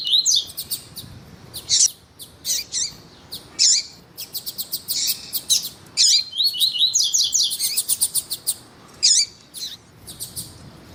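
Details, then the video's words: Double-collared seedeater male song mixed with female calls, used to warm up captive males; dense clusters of piercing high chirps and quick zigzag trilled phrases, bursts following one another with brief gaps. "ESQUENTAR COLEIRO TUÍ TUÍ COM COLEIRO TUÍ TUÍ E FÊMEA DE COLEIRO CHAMANDO PARA ESQUENTAR COLEIRO"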